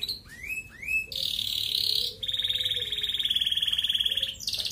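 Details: ["Red canary giving 'ngerek' song to prompt breeding in hen canaries. A couple of quick rising notes, then a loud sustained buzzy trill and a long, even rolling trill."]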